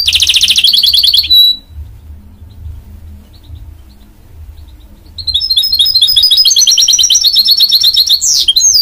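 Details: Goldfinch-canary mule delivers a dense buzzy trill ending in a sharp whistle, falls silent with only low background hum, then launches into another long, fast, warbling trill.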